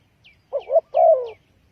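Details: A single coo phrase from a spotted dove used as a trapping lure: a wavering double note, then a longer, smoothly falling croo, with faint high downslurred chirps above.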